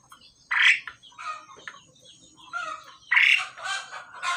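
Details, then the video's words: Male and female pied mynas during pairing exchange harsh squawks mixed with chattering, gurgling notes, growing busier toward the end. "jalak suren jantan dan betina dalam proses penjodohan"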